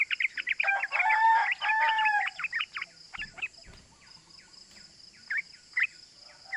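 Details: Fired-up yellow-vented bulbul chatter used to lure other bulbuls into calling: loud, jumbled, bubbling notes for about two seconds, then scattered sharp 'cuk' calls fading to sparse single notes, with faint background hiss.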